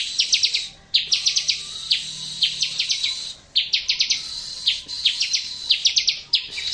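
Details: ['Bar-winged prinia song used to stir birds that stopped singing into answering: crisp, fast trains of four to six descending chips above a bright held whistle, repeated regularly.']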